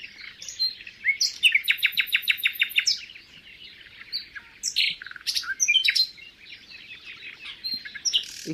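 Common Nightingale singing a rich, varied song: a fast run of repeated loud notes, then whistles, trills and churrs, each phrase different from the last.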